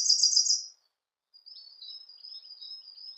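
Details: Siberian blue robin: the close of a loud, fast, high trill, a brief silence, then a soft continuous run of thin, squeaky high twitters.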